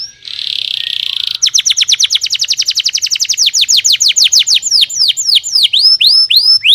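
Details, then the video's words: Canary song said to excite a neighbouring canary: a buzzy rolling trill opens, then a long fast series of bright descending whistled sweeps, repeated several times a second, slowing into looping up-and-down notes near the end. "Burung kenari Suaranya bikin heboh burung kenari tetangga sebelah"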